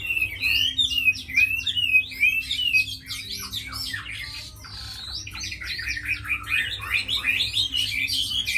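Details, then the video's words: Chinese hwamei, a tame caged fighting bird said to sing well, pours out a dense, hurried jumble of bright whistles, chirps and scratchy notes, nearly continuous over several seconds, over a soft indoor hum. "Mi thuần đấu tốt hót hay"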